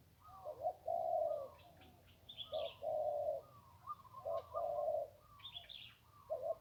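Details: Zebra dove at the Ping River, Thailand, delivering three rolling coo phrases about every one and a half seconds, each a short lead note and longer vibrato coo, with faint high chirping behind.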